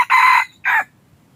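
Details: Red junglefowl used as a hunting decoy to lure wild junglefowl, giving a short two-part crow: a loud harsh first note, a brief gap, then a shorter clipped second note, with quiet afterwards.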